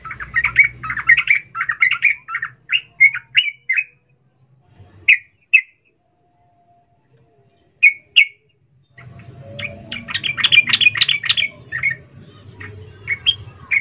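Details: Female sooty-headed bulbul calling the male: a run of quick chirps, then a long near-silent stretch with a few isolated sharp notes, and a renewed dense chattering burst over low background hum.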